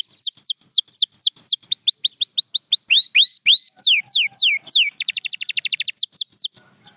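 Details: Canary song from a champion bird: paired downslurred whistles repeated about twice a second, lower rounded notes, sweeping descending phrases, and a fast, dense trill before a brief quiet ending.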